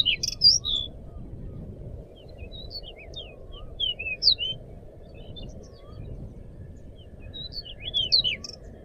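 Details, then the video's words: Crescent-chested babbler (decu) in lively song, a tutor recording: sparse high-pitched chirps and short whistled slurs in irregular bursts about every one to two seconds over a constant low rumbling background. "burung decu gacor buat pancingan atau masteran"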